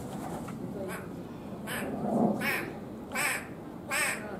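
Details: Toco toucan at Ueno Zoo in Tokyo, Japan, giving four or five harsh, rasping croaks, roughly every three-quarters of a second, over a low murmur of background voices.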